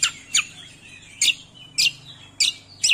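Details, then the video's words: Cucak kombo song on a masteran recording used to train songbirds and coax reluctant singers: sharp, high chirps rising and falling, repeated about every half second, over faint low hum. "MASTERAN CUCAK KOMBO"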